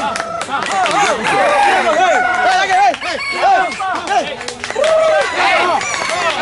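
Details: Hybrid red junglefowl crowing at a crowing competition (Sorok Bon) in Felda Tenang, Terengganu, Malaysia: many birds overlap with arched, wavering crows, while people talk loudly all around.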